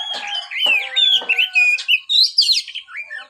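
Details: White-rumped shama song of clear slurred whistles and rising notes interspersed with a few harsh clicks, quick and varied.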